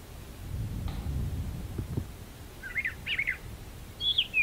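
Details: Brown thrasher in a magnolia tree: low rumbling noise first, then a few rasping, slurred high phrases in quick succession and a final clear, downslurred whistle.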